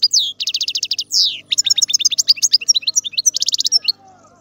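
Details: European goldfinch song made of fast rattling trills and a buzzy downward slur, then a long sequence of rapid, tinkling twitters that ends abruptly in a quiet background.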